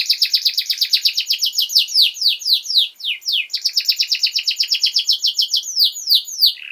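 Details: Actively singing pet canary, recorded as tutor song for young birds: continuous rapid trills of downward-slurred syllables, several notes per second, shifting between buzzy and clearer tours, ending on a lower note.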